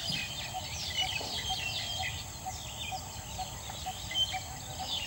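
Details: Coppersmith barbet perched on a lead treetop, evening of 31 August 2014, repeating a low, metronomic tuk about twice per second; busy high-pitched twittering of other birds and a steady hum fill the background.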